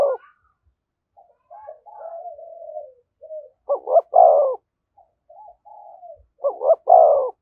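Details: Spotted dove calling in the 'thúc gù' style beside a decoy bird. Quiet, warbling low notes lead into two loud phrases, each a doubled hiccup then a long husky coo, about three seconds apart.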